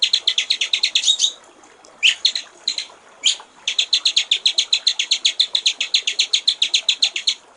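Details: White-rumped shama in a master recording for training songbirds, clear-voiced water-trickle style: long runs of rapid, sharp, high repeated notes, a brief gap with a few scattered notes, then another extended fast-repeated series.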